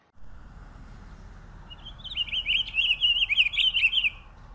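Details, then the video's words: Pine grosbeak singing: after a quiet start, a rippling, warbled phrase of quick whistled notes runs steadily for about two and a half seconds, then stops against faint low background hum. "Canto del Camachuelo Picogrueso"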